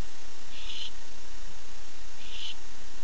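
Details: Male barn owl at night calling for his mate, 9:54 pm, on a nest cam: two harsh, hissing screeches about 0.4 seconds long, spaced about 1.7 seconds apart, over steady background hum.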